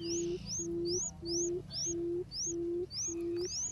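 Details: Barred buttonquail decoy call used to draw in wild birds: low, steady hooting notes about half a second long, repeated roughly every 0.6 seconds, while another bird adds high rising whistles.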